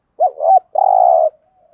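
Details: A spotted dove of the local field type coos to provoke wild males: two quick looping low notes slide into a sustained, rough, rolling purr lasting about half a second. The recording is clean and quiet.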